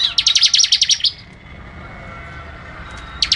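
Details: ["Prinia singing in the 'ngebren' style: a dense, rapid rattle of sharp, buzzy high-pitched pulses lasting about a second. Near silence follows, then a brief second burst at the end."]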